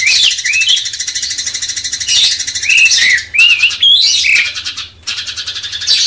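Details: Master song of a cucak cungkok bulbul meant to stir a magpie-robin: a run of clear, looping whistled phrases, some rising and some dipping, over a constant, shrill, buzzing chatter.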